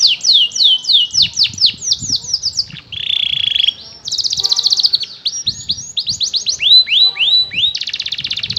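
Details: Young canary learning to sing gives a rapid, varied warble: fast runs of descending chirps, a buzzy trill, then more quick sweeping notes and a high rattling phrase.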